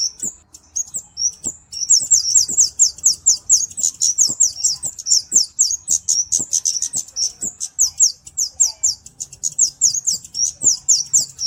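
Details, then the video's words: Flowerpecker song, used as a master for training songbirds and as a lure: a fast, continuous stream of very high, thin chirps and sharp ticks in rapid bursts, with faint low clicks beneath. "Burung KEMADE // CABE CABEAN - Cocok Untuk Masteran Dan Pikat (Suara Jernih)"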